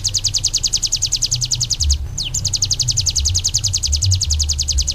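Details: Ciblek gunung song for tutoring other birds: a rapid trill of repeated high descending notes, a short break with one sweeping slur, then the fast trill continues. Low background rumble.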